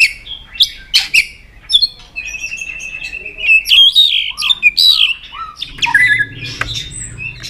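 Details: White-rumped shama song used to rouse birds into singing many varied phrases: quick high chirps, then a long run of sliding whistles and short warbled notes, with a low hum beneath near the end.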